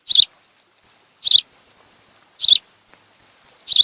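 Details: Osprey at a pair's nest on Kent Island, Maryland, filmed by a nest camera on 26 July 2018 in the afternoon; four short, sharp high chirps evenly spaced about every 1.2 seconds, quiet between calls.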